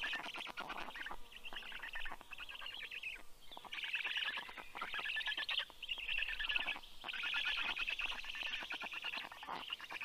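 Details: Black stork nestlings growling as the parent comes home carrying fish, 11 June 2022 at 9:56 AM; coarse buzzy rattles in long runs broken by brief silences, several chicks overlapping.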